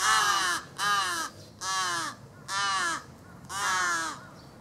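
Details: A Large-billed crow chick near an arbour begs its parent for food, but the parent ignores it. It gives five harsh, nasal caws about half a second long, repeated roughly every second.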